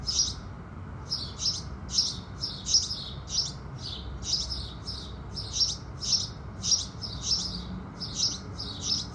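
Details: House sparrows at sunrise give a steady, evenly paced string of sharp chirps, about one or two each second, against faint low ambient noise.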